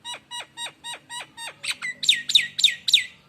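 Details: Lure song from a Nias hill myna: six evenly spaced sharp down-slurred notes, then a louder series of ringing whistled notes falling in pitch, about four per second.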